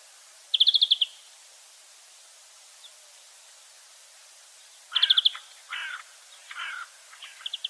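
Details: European greenfinch, a wild bird, heard in two short rapid trills several seconds apart, the second followed by lower, rougher buzzy notes and a few quiet twitters.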